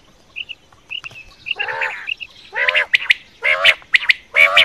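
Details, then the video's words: Quail voice for night hunting: soft high paired pips at the start, then rough, buzzy squawking notes that grow louder and come in quick succession, about one per second. "Quail Voice Sounds For Hunting Raat Ki liye Saaf Awazay Quail sounds Batair Ki Awaz"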